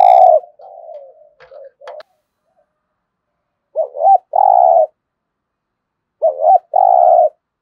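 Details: Spotted dove in a persistent cooing bout, played daily to stir other birds into calling: low, mellow coos of short rising-falling notes each followed by a longer sustained note, in paired phrases separated by quiet gaps.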